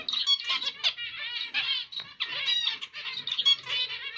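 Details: Song of a zebra finch, emprit Jepang, from Indonesia: rapid buzzy nasal notes and sharp clicks strung into nearly continuous chattering phrases.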